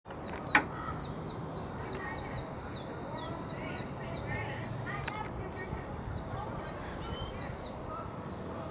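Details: Two young lesser goldfinch fledglings outside a house beg their parent for food and are fed, giving thin, high, down-slurred notes, two or three each second, over a steady low rumble and a single sharp click.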